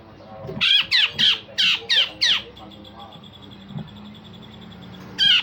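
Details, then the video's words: Grey-cheeked bulbul singing coarse rasps and sharp notes to train other songbirds: six loud harsh squawking bursts, then a thin steady high whistle, ending with one more rasping burst. "Cucak jenggot Besetan Kasar dan Tembakan Tajam"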